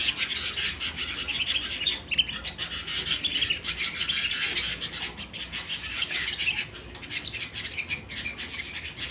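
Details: Home canary pouring out rapid high chirps and warbling trills for about nine seconds, fading slightly toward the end.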